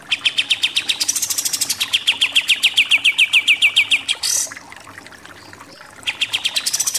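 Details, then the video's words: Pied triller in 'nembak' shooting-style song: a fast, steady volley of high, clipped notes, many sliding slightly down, then a harsh rasp, almost two seconds of quiet, and a renewed rapid burst. "KAPAS TEMBAK SUPER NEMBAK-NEMBAK"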